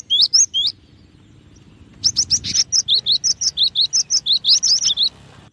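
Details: A few high looping whistles from a cinereous tit (gelatik batu), a pause, then a long, evenly spaced run of bright chirping notes repeated about three per second.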